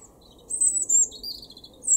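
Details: European robin singing in a garden in Weener, East Frisia, northwest Germany, April 2021: thin, very high, tinkling phrases, a sliding whistle, then a lower trill and another sharp high note, over a faint background hum.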